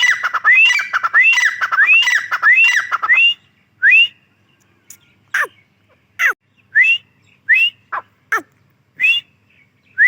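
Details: Female grey francolin: a busy stretch of rapid overlapping whistled and harsh notes, then spaced single upslurred whistles alternating with sharp downward clicks.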